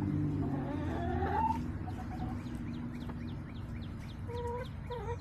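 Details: Hens in a backyard flock, July 17, 2024: a dragging harmonic call in the first second and a half, then low murmuring, and two short paired clucks near the end among faint high chirps and low rumble.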